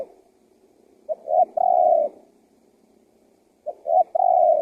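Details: Spotted dove luring call for wild doves, two phrases after a short quiet gap: each a brief pick-up note, a short coo and a long drawn-out soft hoot, spaced nearly three seconds apart, with no other sounds.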